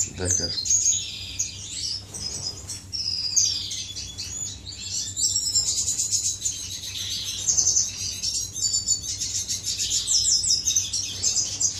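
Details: Finches courting in an aviary, with a lively overlapping chorus of high chirps, buzzy trills and fast ticking note series from several birds that continues throughout.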